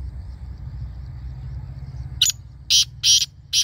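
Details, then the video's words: Black partridge or black francolin: after two seconds of low hum, four loud, scratchy, grating notes in an uneven stuttering rhythm. "Black Partridge Voice | Kala Teetar Voice | Kala Teetar Ki Awaz"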